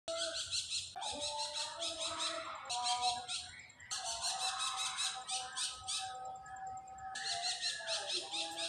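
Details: Pet parakeet giving loud noise: dense, harsh, rapidly repeated screechy chatter in bursts lasting one to three seconds, with short gaps between them and a faint thin whistle in the background.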